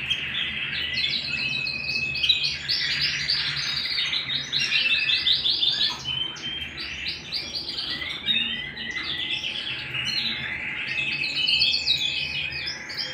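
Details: Canary song recorded at home: dense rolling trills and rapid repeated chirps, phrases changing every second or two, with a faint steady hum underneath.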